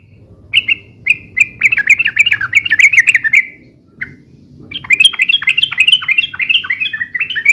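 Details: Sooty-headed bulbul in long, busy song meant for luring and tutoring: quick slurred chirps tumbling in a continuous chatter, a brief break with a single note, then another rapid run of bubbling, bending notes.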